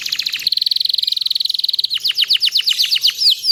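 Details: Canary delivering a very fast, even trill lasting over a second, then a series of loud downward-slurred notes, a song meant for teaching other canaries to sing continuously.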